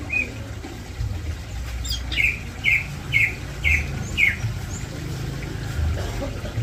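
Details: Greater green leafbird during mating in captivity: a short series of five sharp, bright chirps at a steady pace over a low, constant rumble of background noise.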